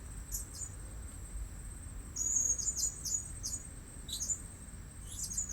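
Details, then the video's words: Used as a lure at a new spot: a blue-crowned hanging parrot gives quick runs of sharp, high-pitched tsit notes, packed closely mid-clip. A constant piercing whine runs beneath them. "Memikat Burung Serindit Di Port Yang Baru"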